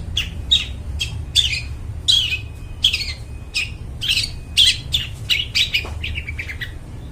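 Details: Long-tailed shrike in lively, clear song, used as a lure for birds in the forest: a fast run of short harsh and chattering notes, mostly high-pitched, coming in quick bursts over a steady low hum.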